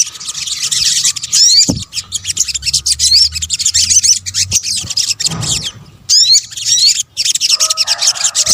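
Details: Lure recording of sunbird calls: fast, high, scratchy chirping flows almost nonstop, broken by a few clear rising whistles. Faint low hum and occasional knocks sit beneath.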